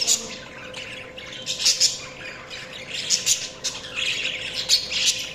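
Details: Budgies chattering with quick, sharp chirps and squawky notes in irregular clusters roughly every second or two, some clicks mixed in, against a low constant background hum.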